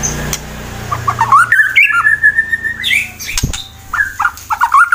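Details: White-rumped shama fighter singer from Wonosobo, Central Java, Indonesia, used to provoke rivals into song; clear whistled notes with a long steady whistle, then quick rising twitters, interrupted by sharp clicks and a low background hum.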